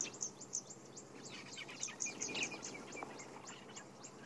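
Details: Red-billed buffalo weavers chatter at sunrise on 11 March 2016 in Sabi Sand, South Africa, quick, high, down-slurred chirps overlapping in a busy dawn chorus, with tawny-flanked prinia and white-bellied sunbird possibly calling.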